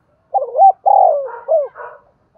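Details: A single spotted dove coo meant to prompt other doves to call: short double hoot, a long sliding coo, then a softer trailing note and a faint rough afterthought.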